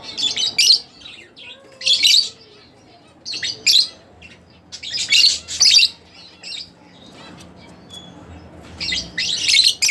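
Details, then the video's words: Split blue Fischer's lovebirds, pet birds, chirping in harsh high clusters roughly every one to two seconds, each cluster a quick tangle of scratchy notes, with near silence between. "lovebirds chirping | singing Sound"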